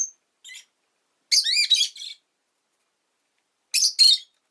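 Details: Rosy-faced lovebird calling: a thin high note, a short chirp, then a rapid tumble of shrill, buzzy squeaks with twisting pitch, a long pause, and a final pair of harsh chirps.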